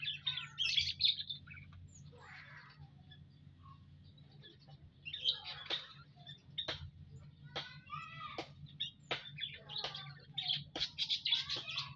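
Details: Munias kept together in an aviary, recorded 19 April 2025: bursts of high, thin chirps and short twittering notes cluster at the start and again after five seconds, mixed with sharp clicks and a steady low hum.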